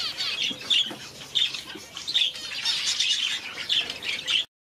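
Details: Parrot finches, red-faced and blue-faced, giving short, thin, high chirps that repeat irregularly every half second or so. The notes overlap as several birds call at once over a steady hiss.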